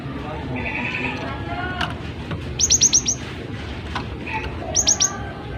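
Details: Cinereous tit, locally gelatik batu, in full song for training other birds: two bursts of four rapid, very high, sharp whistled notes, separated by faint buzzy notes and clicks against a hissy background.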